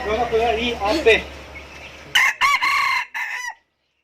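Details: Chicken crowing in the second half: a broken series of loud harmonic syllables, ending in a short falling note, after a first half of mixed tonal sounds resembling music or voices.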